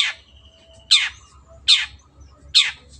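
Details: Long-tailed shrike in tutor recording for caged birds: loud harsh rasping notes, each sweeping downward, repeated about every 0.8 seconds, with a faint steady tone between them.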